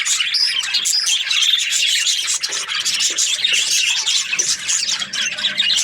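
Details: Budgies chirping in the morning: a busy blend of shrill twitters, squeaks and warbled phrases overlapping continuously.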